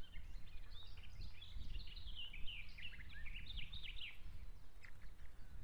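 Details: One-week-old osprey chicks in an Estonian nest on June 17, 2017, struggling for dominance: a jumble of thin, high squeaky chirps over steady low rumbling background noise.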